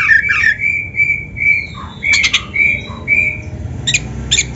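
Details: Oriental magpie-robin song used as a tutor recording to train young, lazy or quiet caged birds to sing: clear, steady whistled notes alternate with short harsh rasping bursts and a few lower slurred notes in quick varied phrases.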